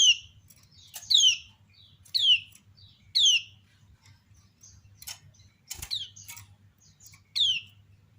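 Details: Female common iora calling to draw answers from other ioras: sharp chirps sweep steeply down from high to mid pitch, given singly or in pairs about once a second, with fainter chirps between and a low hum underneath.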